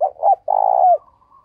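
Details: Decoy Spotted dove in the morning, calling to attract wild doves: short doubled coo leading into a sustained, pulsing coo that bends downward, then a thin faint whistle.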